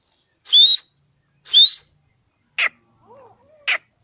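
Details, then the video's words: Grey francolin calling in natural habitat in Pakistan: two loud rising whistled notes a second apart, followed by two short sharp clicking calls and faint low chirps between them. "Voice of Teetar Bird - Gray francolin Teetar Ki Awaz Dakhni Teetar"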